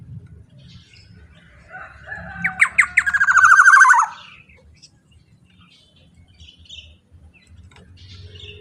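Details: Loud, powerful Black-naped oriole whose voice is used to draw out other orioles. It gives a swelling run of rapid, harsh, nasal notes over about two seconds, with low murmuring noise before and after.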